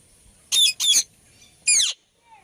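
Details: Indian ringneck parakeet giving three harsh, raspy squawks with layered overtones: two in quick succession, then a pause and a third that slides downward at its end, over a faint steady hiss.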